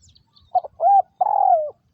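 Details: Spotted dove decoy bird from Vietnam, used in trapping, delivering one full phrase: a quick clipped note, a smooth arched coo, then a longer trembling coo that falls away at the end.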